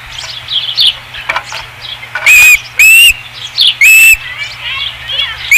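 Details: Osprey at the nest, Dunrovin Ranch, 5 August 2016: faint high chirping, then three loud whistled notes, each gently upslurred and about half a second apart, followed by quieter chirps.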